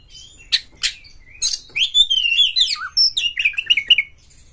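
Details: Agitated Oriental magpie-robin in Indonesia, pouring out song while seeking a rival to fight. Two rasping notes lead into a long, fluid run of high whistles that rise, fall and end in quick chirps.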